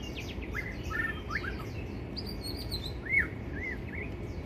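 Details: White-rumped shama singing a varied run of short whistled phrases, rising and falling slurred notes with higher sweeping notes above, over steady low background hum.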